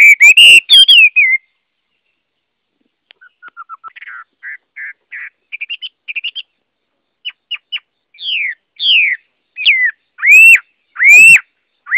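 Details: Chinese hwamei song: loud slurred whistles, then a soft series of quiet short notes building gradually into louder clear whistled phrases, some rising, some falling, with ringing upper tones.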